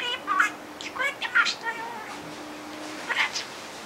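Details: Talking pet budgerigar practising a comedian's gag it learned during the Brazil World Cup, sometimes getting words wrong; faint, squeaky speech-like syllables in short bursts with a steady low hum and a pause in the middle.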